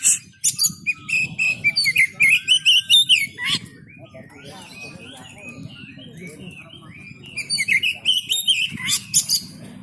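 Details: Oriental magpie-robin in market training: fast run of sharp whistled and trilled notes for three seconds, a quieter stretch of softer warbling, then another energetic chattering burst, over a murmur of background noise.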